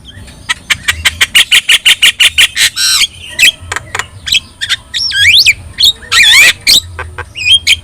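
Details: Energetic yellow-eyed Javan myna song meant for tutoring other birds: a fast series of some fifteen repeated sharp chips, then a harsh buzzy rattle, looping up-and-down whistles and a grating squawk, with faint low hum behind.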